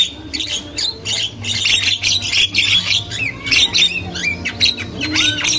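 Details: Wild Javan myna, described as a female in full chatter, used as a lure for young birds: dense harsh squawks and buzzy notes mixed with short rising and falling whistles, almost continuous, over a steady low hum.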